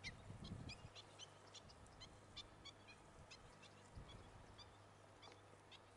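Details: Black-winged stilt chicks in Gran Canaria, June 2020, giving thin, high, sharp peeps, several a second in loose bursts, over a low steady rumble.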